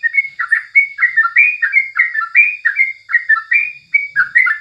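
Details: Yellow-vented bulbul morning song for tutoring birds: continuous, busy chatter of bright slurred whistles, rising and falling, about three notes a second, with a faint high-pitched hum in the background.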